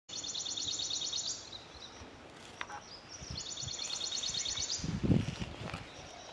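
Grey-breasted Prinia giving two high, rapid, buzzy trills of quickly repeated notes, each lasting over a second, with a soft thump and background hiss between.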